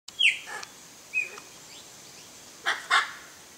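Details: Hyacinth macaw, one of a pair visiting a Brazilian backyard to feed on Macaúba palm coconuts: harsh, broadband screeches, a short one early then two close together near the end, with clear descending whistles from other birds between.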